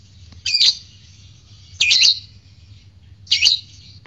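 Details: Fighter lovebird bait sound intended to make other lovebirds sing: three grating, high-pitched screeches with a squeaky edge, each lasting under half a second and repeated about every one and a half seconds.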